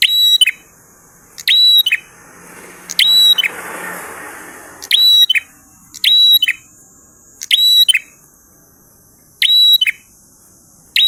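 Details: Prinia in full 'ngalun' song, repeating short high phrases with ringing whistled tones and clicky edges at irregular intervals over eleven seconds. A brief soft rushing noise passes partway through.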